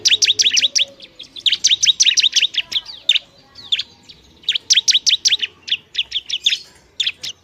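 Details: Bar-winged prinia, or ciblek, in loud provoking song: rapid series of sharp high repeated notes in several bursts, with a few rising squeaky chirps between.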